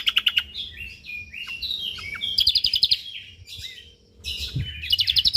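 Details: Singing Lombok white-eye, a champion bird, mixing staccato trilled bursts with descending whistled slides and loud rattles, a short quiet break near the end.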